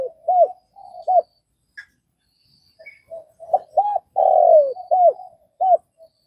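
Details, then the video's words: Spotted dove from Vietnam, short hooked coos after a quiet gap, then a loud, long, downward-sliding coo and more clipped coos; faint distant high bird notes in the background. "Tiếng cu gáy Việt"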